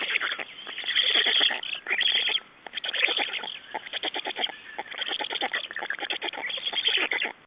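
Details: Black storks at their nest in Estonia on 6 June 2011, during nest exchange and feeding: loud, hoarse, noisy bursts, then a fast train of short rasping pulses running steadily through the second half.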